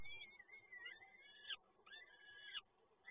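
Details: Peregrine falcon chicks being fed at a nest in Toruń, 30 April 2022. Two drawn-out, wheezy, harmonic begging cries rise and fall, each ending abruptly.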